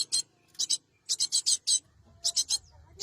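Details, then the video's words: Cinereous tit used as a lure for catching wild birds. Dry, scratchy chatter notes come in short runs of two to five with a few faint thin whistles between them. "Suara Burung gelatik batu terbaru!!! untuk pikat dan pancingan burung bahan"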